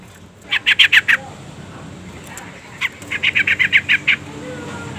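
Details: Female sooty-headed bulbul calling to the male: a short run of five harsh notes, a pause with a single note, then a second run of seven buzzy chatters over steady hiss.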